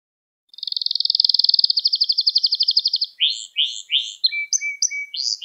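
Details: Canary song for teaching young canaries to sing: a long evenly pulsed trill lasting over two seconds, then rising buzzy phrases, short chirps and a faint steady whistle.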